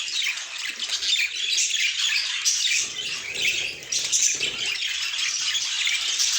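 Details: Pet budgies calling in a group: shrill chirps and squawky warbled notes piling up in waves, with brief dips between bursts of overlapping chatter.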